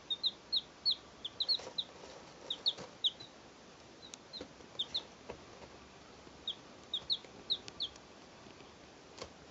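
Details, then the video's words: Three two-day-old domestic chicks recorded in 2012, giving high, thin, downslurred peeps in quick clusters of two or three, with short pauses between bursts and faint clicks in the background. "2 day old chicks"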